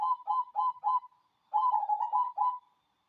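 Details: Cooing song of a local cemani zebra dove, a natural-strain bird: two bursts of quick, evenly spaced bubbly coo notes, the second run longer and slightly lower, with no other sounds.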